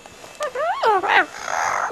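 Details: Female pet double yellow-headed amazon playing under bed sheets gives a quick run of harsh, nasal squawks that swoop up then drop, ending in a rough grating note; she sounds angry but is enjoying play. Room otherwise quiet.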